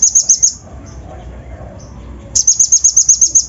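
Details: Lure song of a kolibri ninja, or Van Hasselt's sunbird, in the coarse fill-in style used to agitate untrained birds. Brief high ticking notes give way to a pause, then a longer rapid run of piercing chips.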